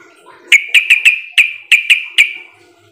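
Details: Lure call of a sooty-headed bulbul, meant to draw answering calls from other birds: eight sharp, clear notes given in a fast, slightly uneven series over about two seconds.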